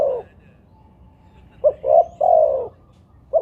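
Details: Low mellow cooing from a spotted dove, played as a lure to get doves to sound. One full phrase of two clipped hoots and a longer descending coo sits between fragments of neighbouring phrases, with a quiet background hum.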